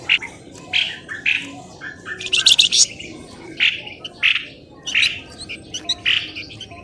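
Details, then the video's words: Noisy lure call for drawing birds out of bushes. Separate harsh chirps come about every half second, with a fast rattling burst in the middle and softer scratchy notes underneath. "SUARA PIKAT BURUNG pelamboyan ribut"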